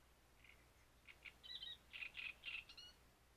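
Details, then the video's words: Singing great reed warbler at Grachevka, a grating, creaky phrase building from soft rasping notes to loud repeated harsh syllables and ending in thin squeaky notes, background otherwise quiet. "Камышовка Дроздовидная"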